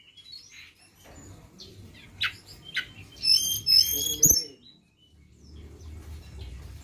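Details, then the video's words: Flowerpecker lure call: scattered faint high notes, then a rapid burst of tiny stacked chips repeated about twice a second, with a sharp tap and low rumbling in the background. "Pancingan Ampuh BURUNG TLEDEKAN"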